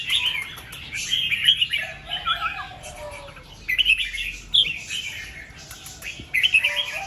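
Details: Red-whiskered bulbul at dawn singing in the 'double 2-3' and 'rik' styles: sweet liquid phrases in several bursts, one wavering note, and a lower whistle from another bird beneath.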